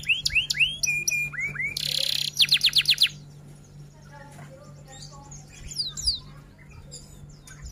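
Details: F1 canary singing rolls and tembak phrases: rising whistles, then a loud buzzy burst and a pulsed rattle. After three seconds the song turns faint and scattered.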